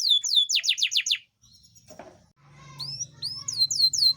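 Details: Caged Yorkshire canary singing, used as a master recording to prompt lazy canaries to sing and to encourage mating; rapid series of downward-sweeping whistled trills, a brief pause with a rustle, then more descending whistles over a low hum.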